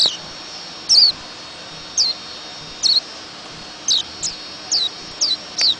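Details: White-eye repeating high, sharp, downward-sliding notes roughly once a second, each note brief and thin, a steady background hiss underneath.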